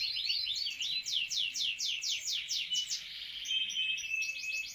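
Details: Canary singing a fast series of repeated downslurred notes, about four per second, then shifting to a trilled rolling passage and steady buzzy repeated notes; quiet background.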